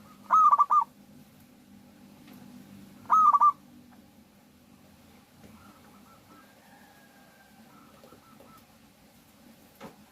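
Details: Local Indonesian zebra dove, a persistent singer used as a lure to make other doves sing, giving two loud cooing phrases, each a high held note then quick stuttering pulses, about three seconds apart, followed by faint distant cooing over low hum.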